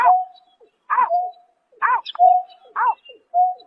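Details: Night calling of a greater painted-snipe in March 2024: bent, harmonic nasal notes each followed by a short level hoot, about every 0.9 seconds, in otherwise quiet surroundings.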